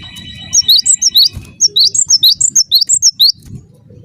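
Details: Cinereous tit (gelatik batu) lure call meant to make other tits answer; two long runs of rapid, piercing, bouncing double notes, steady and loud, with a brief gap between and low hum behind.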